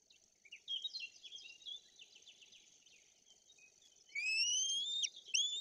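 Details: White-tailed eagle chicks begging at a nest in Bory Tucholskie, Poland, on 8 June 2022, awaiting feeding from the female who brought a pike: soft high twittering, then thin, piercing rising whistles near the end.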